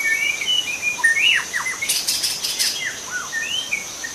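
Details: Young forest-dwelling white-rumped shama giving a rapid string of varied whistles and down-slurred notes, with a brief buzzy burst in the middle, over a constant high-pitched insect hum.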